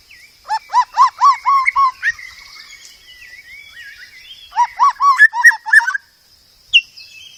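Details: White-rumped shama song used as a training recording for caged songbirds: repeated low whistled notes near one kilohertz in a quick series, a pause with a thin steady tone, then another burst of rising whistles.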